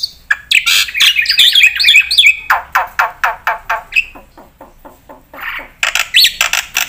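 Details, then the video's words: Black-winged myna (jalak putih) in lively full-fill-in song for tutoring and luring. A tangle of warbled, buzzy high phrases gives way to a string of drier, lower chattering notes, then resumes bright and harsh. "pakai suara burung jalak putih gacor full isian buat pancingan dan masteran pasti nyaut"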